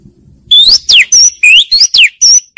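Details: Oriental magpie-robin song used to lure other birds: seven loud, clear whistled notes in quick succession, some rising and some sharply falling, with bright overtones and short gaps between them, after a faint low rumble.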